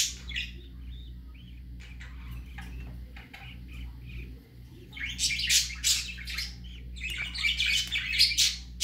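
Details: Young budgerigar on its first outing: quiet scattered ticks at first, then from five seconds a run of loud raspy chirps and squawks repeated roughly twice a second, over a low background hum.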